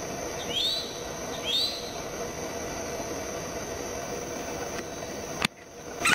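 Two short, harsh, rising calls a second apart from a Red-headed woodpecker over a steady insect-like hiss, ending with a sharp knock.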